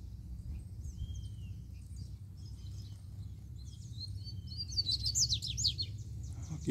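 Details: Wild, free-flying double-collared seedeater singing forcefully after arriving: a few thin whistled notes, then a loud burst of rapid, sharp, high chirps and trills near the end. A low background rumble runs throughout.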